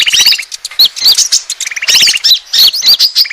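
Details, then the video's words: Asian glossy starling lure sound for attracting birds: short rattled trills of fast even pulses followed by sharp, high, slurred chirps, the pairing repeated twice in quick succession. "suara pikat burung konin ampuh"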